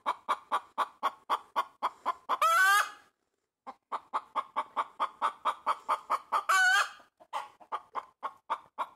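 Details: Pet hen standing on a tree branch, making loud chicken noises: rapid series of short clucks about four per second, twice broken by a long harsh rising squawk, then clucking resumes.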